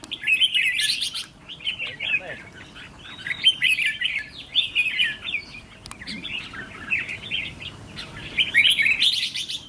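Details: Red-whiskered bulbul kept as a trainee decoy cage bird and tested for temperament pours out dense, chattering warbles in long, busy runs, with brief pauses between bouts.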